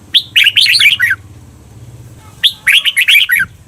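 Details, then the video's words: Training song of a Thai cage red-whiskered bulbul in the 'berl' doubling style: two rich, chattering phrases of five or six fast liquid notes, each about a second long, with a soft low background hum between. "เสียงฝึกเบิ้ล นกกรงหัวจุก เปิดสอนเบิ้ลยาวๆ เบิ้ลได้แน่นอน"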